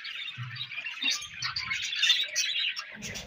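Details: Budgerigar chatter: a busy stream of high, scratchy twitters and warbled chirps, several birds overlapping, with soft low knocks in the background.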